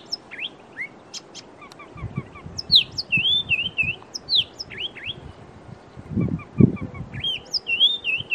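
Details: Chestnut-vented tit-babbler calling: quick series of high, sharply rising and falling whistled chirps and wavering trills, with short rapid note strings, interrupted by low thumping handling sounds.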